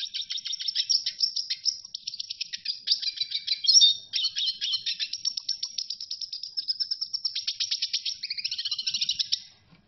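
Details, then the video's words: Red siskin singing a long, continuous twittering song. Rapid, high chirps and buzzy trills run almost without pause for about nine seconds, with a brief louder burst near the middle, against a quiet background. "صوت تغريد السيسكن الاحمر - Unbelievable Amazing Red siskin song"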